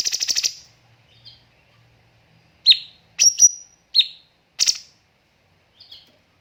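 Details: Cucak cungkok master song for teaching caged birds, tembakan style with pauses: a rapid buzzy pulsed burst, a gap, then four sharp high chirps and a soft closing note.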